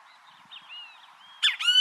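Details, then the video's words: Great kiskadee singing in nature, in Brazil: faint, thin whistled notes rising and falling, then two loud, harsh, strongly harmonic calls burst out at the end. "BEM-TE-VI CANTANDO NA NATUREZA - O CANTO DO BEM-TE-VI"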